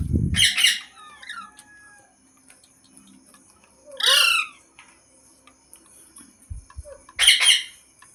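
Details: Green parrot makes a few loud, harsh squawks with bright harmonics and a thin whistled note, with long quiet gaps and a low thump at the start.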